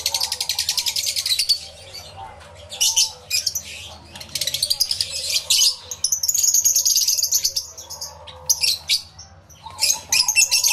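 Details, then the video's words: Crowded aviary of lovebirds, yellow-collared among them, captured on a camera with two external microphones: loud, harsh, high chirping in uneven bursts and squabbling flurries, separated by brief quieter gaps and faint lower whistles. "1 Hour Lovebird Sounds Aviary Series V1"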